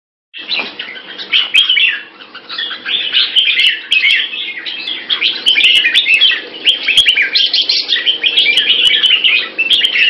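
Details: Red-whiskered bulbul recorded 2 September 2017, singing a dense, continuous stream of quick chirps and warbled notes. The chatter is busy and rapid, with a faint lower hum underneath throughout.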